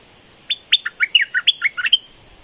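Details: Red-whiskered bulbul decoy bird gives a lively bubbling phrase of roughly a dozen quick whistled notes that rise and fall, against a low steady background hiss.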